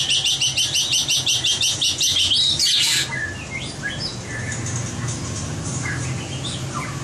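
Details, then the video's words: White-rumped shama practising competition singing opens with a fast, even series of high buzzy repeated notes, about four per second for three seconds, then softer scattered whistles over background hum. "Luyện giọng chòe lửa - luyện chòe lửa hót đấu (murai batu)"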